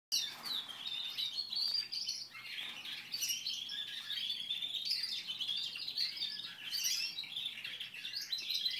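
A canary sings a continuous, high-pitched warbling song of rapid trills and chirps, rolling on without pause for the whole stretch.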